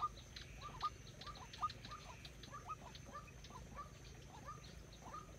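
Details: Decoy white-breasted waterhen for trapping, giving soft, looping hollow notes in an uneven series, fading toward the end, amid low rumbling background noise.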